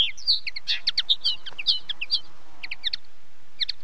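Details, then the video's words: Singing common linnet: a busy, chattering twitter of clipped high notes and short slurred whistles, delivered in rapid bursts over a slight background hiss, easing into a few scattered chirps at the end. "Как поет коноплянка? 🐦 Звук поющей коноплянки и какие звуки издает коноплянка"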